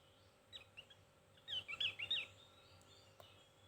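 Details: Javan white-eye in thin chirping song: a few scattered faint high notes, then a burst of about five quick, twisting, sharp high notes before fading, over constant low background hum.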